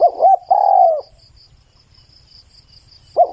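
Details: Close spotted dove cooing: two quick gurgled notes, then one long, soft, downward-sliding coo. A pause follows before the next phrase begins. Faint rhythmic insect chirping sounds throughout.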